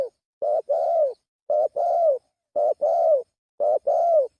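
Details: Lure call of a spotted dove, four evenly spaced paired coos about once a second, each a clipped short note followed by a longer, slightly falling hollow coo.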